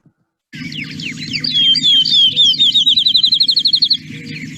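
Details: Field Sparrow song: high-pitched "bouncing ball" of high, clear slurred whistles running into a fast, even trill of about nine notes a second, over a low hum.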